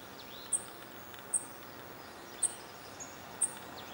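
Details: A Dark-eyed Junco fledgling, one of two accompanied by both foraging parents, gives an incessant begging call from a railing in the redwoods at Guerneville, Sonoma County, California, on 7 May 2020: four very high, thin, sharp notes, about one per second, over a soft hiss.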